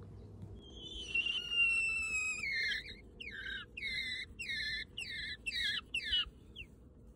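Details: A domestic quail hen settling into a nest gives her egg-laying call, a long drawn-out falling whistle and then about nine short, shrill, down-slurred notes at roughly three per second, over a low steady hum; she is one of a flock of 14 hens.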